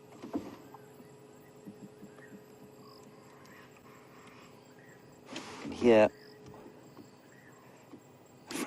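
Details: Francolin on an April 15, 2016 sunset safari drive in Sabi Sands gives a single harsh, grating burst of a call, about a second long, over a quiet evening background with a low steady engine hum.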